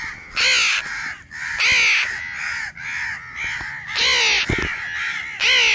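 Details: Harsh arched caws from a baby house crow, loud calls repeated roughly every 1.3 seconds over a steady bed of softer overlapping cawing, one short thump in between.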